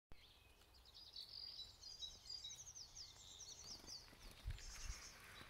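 A young great tit gives a quick series of thin, high chirps, several notes a second, over steady outdoor background noise.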